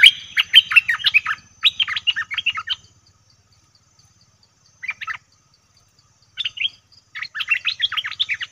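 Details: Bulbul call used as a lure for wild birds. Dense runs of rapid chattering notes, broken by pauses and a short separate burst, over a faint low hum.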